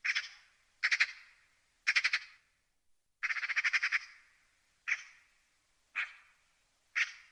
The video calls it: Magpie sounds. The sounds that the magpie makes. What sounds does a magpie make?